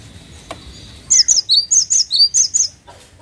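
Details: Energetic cinereous tit song: a rapid series of ringing high-then-low whistled note pairs, about eight notes in under two seconds, over soft background hiss.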